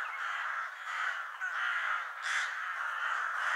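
Crows give harsh, raspy caws in a nearly continuous run, the grating notes overlapping, with a brief higher, hissier burst partway through.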